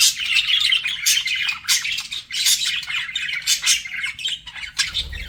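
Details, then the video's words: Pet budgies in a flirting exchange, bursts of grating squawks and quick chirps pulsing in waves, rarely falling silent. "BUDGIES FLIRTING"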